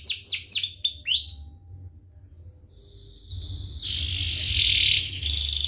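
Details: Canary in full song, recorded as lure song for young canaries learning to sing. A burst of fast descending chirps gives way to quiet, then a loud, buzzy, sustained high roll.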